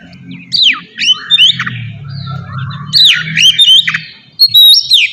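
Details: Oriental magpie-robin in ngeplong song, used to get untrained birds singing quickly: separated swooping whistles and slurred phrases over a steady low droning background hum.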